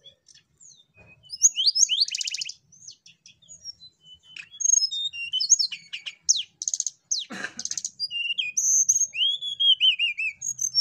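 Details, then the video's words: Hill blue flycatcher song, used to provoke birds into singing: a busy run of high chirps, trills and harsh bursts, ending in a long wavering whistle that slides downward, with several overlapping singers. "Tledekan gunung gacor Untuk Pancing Bunyi Burung Tledekan Ombyokan"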